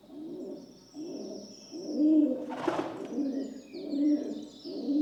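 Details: A pigeon, the rock dove, gives soft low coos in a rolling sequence, interrupted midway by a brief sharp knock or rustle.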